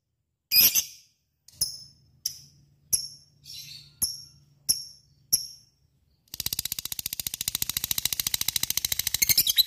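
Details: Lovebird opens with a string of short, sharp chips about every second over a faint low hum, then launches into a fast, steady ngekek rattle; fighter and gacor style to provoke other lovebirds to sing.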